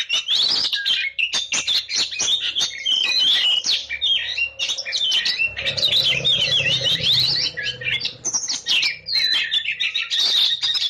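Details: Oriental magpie-robin in sustained rapid song, a dense stream of high chirps and whistled phrases, with a low hum in the background midway.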